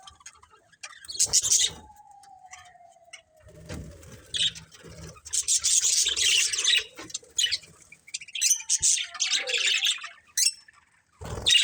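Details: Budgerigars of a breeding pair chirp in scattered harsh bursts, with a long gliding lower whistle early on, some low rumbling and fluttering, then a dense spell of chatter.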